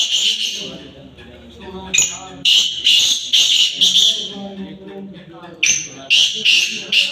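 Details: Black francolin (kala teetar) calling during a chakri trial match in Dokri, Sindh: loud, harsh, high whistled bursts repeated in quick phrases, with a man talking underneath throughout.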